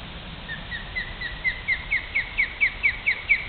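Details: Nesting osprey, one of a male-female pair defending its nest from an approaching person in Great Neck, New York: rapid repeated piercing whistled chips, starting softer and growing louder, roughly two notes a second, with light outdoor noise.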